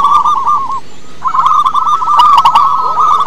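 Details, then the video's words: Short burst of a local zebra dove's song, a lure bird for other doves: a quick rolling trill, a pause, then a longer stream of fast coo notes with a few clicks. "Perkutut lokal gacor suara besar cocok untuk pancingan - PERKUTUT SUARA KUNG"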